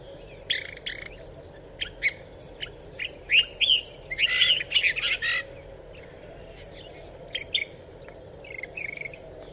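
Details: Desert finch song: scattered sharp chirps build into a dense run of buzzy, twittering notes midway, then thin out to sparse single calls, with a constant low hum behind.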